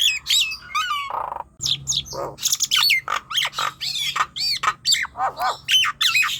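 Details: Nias hill myna song for luring young, untrained or quiet birds into singing, a fast series of clear whistles, squawks and click-like notes repeated at a steady, lively pace.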